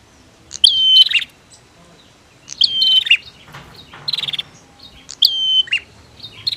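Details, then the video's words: Female and male prinias calling against each other, a recording meant to stir silent birds into singing: loud high whistled notes sliding down, each with a sharp dropping flick, in bursts about every two seconds, with brief rapid stuttering notes between. "SUARA Prenjak betina VS Prenjak Jantan"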